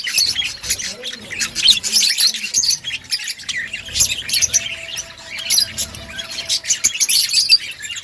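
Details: Many budgerigars in an outdoor colony keep up busy, high-pitched scratchy chirping and warbles, overlapping without pause, with occasional louder squawky notes and a faint low hum beneath.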